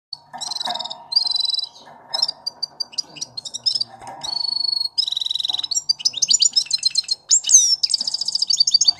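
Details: Starling mimicking the songs of various other birds: a varied run of high chirps, rapid trills and buzzy phrases, each type repeated a few times before switching, with a faint low hum underneath.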